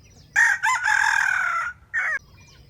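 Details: Loud, close crowing from a wild junglefowl at a bait trap where wild chickens compete to crow: a sharp first note, a brief break, a long steady harsh phrase, then a separate short closing syllable after a gap.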